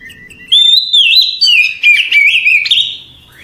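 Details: Night-time song of an Oriental magpie-robin: a low whistled lead-in, then a long, fluid stream of rising and falling whistles and quick trills that fades out near the end.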